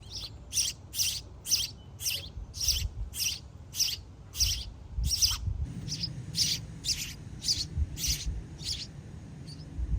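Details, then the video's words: Sparrow chicks begging while both parents work round the clock to feed them: high, thin chirps repeated steadily about every half second, roughly seventeen in a row, over a low background rumble. "Parent Sparrows work round the clock to feed their chicks"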